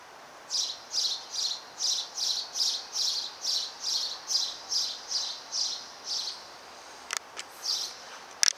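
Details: Sparrow giving a steady series of about fifteen short, high chirps, evenly spaced about three every two seconds, then a pause with a couple of sharp clicks and one last chirp; faint background hiss.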